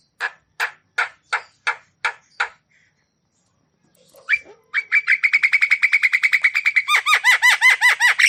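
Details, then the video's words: Javan myna song for rousing stressed or lazy mynas: seven spaced, dry clicking notes, a short pause, then a fast, steady series of ringing, down-slurred whistled notes. "Suara Khas Jalak Kebo Gacor Full Isian"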